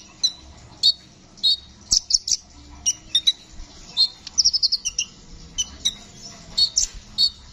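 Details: Brown-throated sunbird in lively rolling song, recorded as tutor material for cage songbirds: sharp, thin chirps spaced irregularly, some paired or tripled, with a brief quick trill near the middle against a quiet background.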